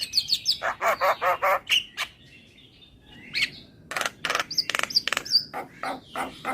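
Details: Asian pied starling song meant as therapy for a singing bird: quick squeaky whistles and harsh chattering notes, a pause with a thin whistle, then loud rasping bursts mixed with sharp chirps.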